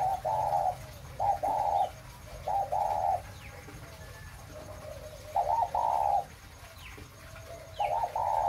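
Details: ["Breeding 'mã phân hồng' spotted dove: crisp paired coos, a quick note then a fuller purring one, in bursts with quiet gaps. A few faint high chirps come from other birds."]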